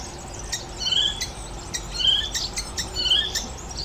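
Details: Icterine warbler, known for copying other species' songs, giving clear whistled notes broken by short scratchy clicks and chips, in loose repeated phrases.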